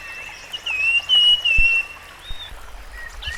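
Rusty-fronted barwing giving a few clear, level whistled notes in quick succession, then softer higher notes, over faint rural background noise.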